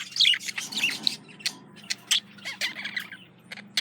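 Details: Pet budgerigar, a male courting a female: quick squeaky chirps and scratchy chattering notes in short irregular bursts, fading softer toward the end.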